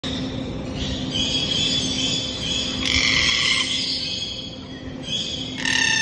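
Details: Red-tailed black cockatoo making drawn-out harsh, grating calls that run almost continuously, with a steady low mechanical hum underneath.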